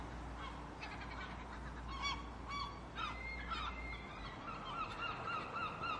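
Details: Gulls making noise to deter predators; a rapid series of short, clipped, rising-falling yelps repeated about every third of a second, with other gull cries behind and low rumble.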